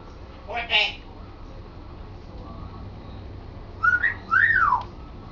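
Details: Indoor African grey parrot, a male learning sentences, makes a short raspy burst, then after a pause two whistled notes, the second rising and falling in an arch.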